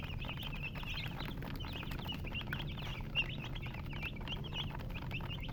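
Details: Baby chicks chirp in a busy group, quick high peeps crowding together, accompanied by a steady low hum, faint scratching patter and one brief louder knock midway.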